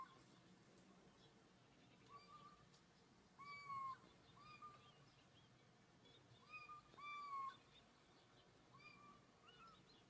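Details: Little owl at Castelo Branco giving soft, mewing whistled calls with upward inflections, often in close pairs, several times within ten seconds against a steady low background hiss.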